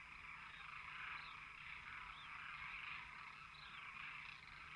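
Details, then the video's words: Many demoiselle cranes calling at once as a flock, a continuous blended chorus of rolling calls, with brief higher upward-sweeping notes now and then. "Flock of Demoiselle crane (Anthropoides virgo)"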